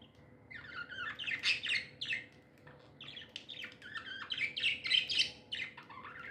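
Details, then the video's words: Happy pet budgies chirp in two bursts of quick warbled and buzzy notes, sometimes rising sharply, with a short quieter gap between the busy stretches. "Happy budgies chirping sounds"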